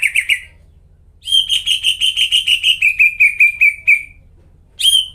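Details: Vigorously singing greater green leafbird, a cucak ijo lure recording for birds that have stopped singing: a brief burst, a pause, then a long string of about fourteen fast, ringing notes that drift slightly lower before another burst starts.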